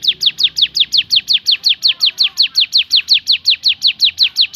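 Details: Javan sunbird in 'tembakan' variation: clean, loud, high-pitched downslurred notes fired off in an even rhythm, close to three per second, against a quiet background.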